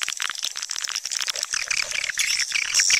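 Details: Swiftlets calling: a dense, high twittering chorus of overlapping chirps and rattly clicks, growing louder toward the end, with a few sharp whistled notes near the close.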